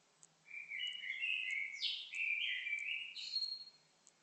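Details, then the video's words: A bird sings two continuous warbling phrases of whistled and twittering notes, with a sharp high rising sweep between them and a thin high note at the end; quiet background. "Singing bird"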